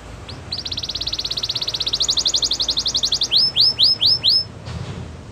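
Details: Song of a Belgian canary getting ready for females: a long fast trill of repeated notes, stepping up in pitch midway, followed by five loud upward-swooping whistles at a slower pace.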